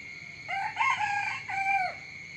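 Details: Morning crow of a rooster, a loud multi-part cock-a-doodle-doo with rich harmonics, then a separate drawn-out syllable that drops away at the end; constant high-pitched hum behind.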